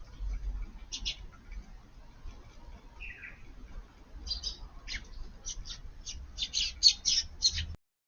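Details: Eurasian tree sparrows feeding in a garden at midday in light rain, June 20; sparse chirps at first, then a quick run of sharp high chirps toward the end, with a soft rain hiss below.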